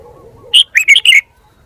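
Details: Short, lively song phrase from a Red-whiskered bulbul kept as a decoy cage bird: four or five rapid, clear whistled notes rising and dipping, after a soft low murmur in the background.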